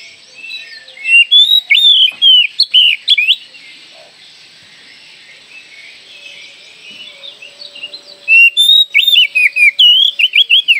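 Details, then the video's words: Oriental magpie-robin singing energetically with its tail spread, used to prompt young birds to sing quickly. Two strong bursts of rapid, varied whistles and downward-slurred notes are separated by about five seconds of near silence and soft hiss. "KACER GACOR BUKA EKOR, PANCINGAN KACER MUDA AGAR CEPAT GACOR"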